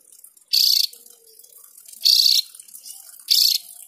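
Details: Javan grey-throated white-eye uttering three strong, buzzy bursts, each lasting about a third of a second, separated by pauses of over a second against light background hiss.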